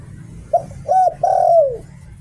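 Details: Spotted dove used as a decoy, singing the 'liu tan' song style. One phrase: a quick soft coo, a mellow hoot, and a long sustained note that glides downward. Light background hum.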